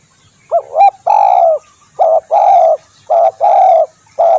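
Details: Spotted dove (tekukur) call used as a lure for trapping birds: loud hollow cooing notes in short phrases, a quick rising double note then several sustained coos, repeated with brief pauses, clean background.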